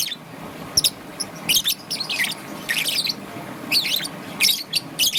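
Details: Young peach-faced lovebird, green and yellow, chirping in the morning: shrill, scratchy chirps in irregular groups of two or three, with short gaps between, over a constant low hiss.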